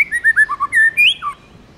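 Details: White-rumped shama, tame, in 'forest voice' singing: rapid falling whistled notes, a sustained tone, a rising slur and a dropping close.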